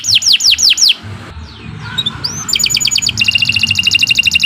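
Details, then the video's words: Canary in 'gacor' long-song mode as a lure for singing: quick falling whistles, a short soft pause with faint rising notes, then a rapid, steady rolling trill. "Kicau Burung Kenari 151 II LUAR BIASA GACOR PANJANG"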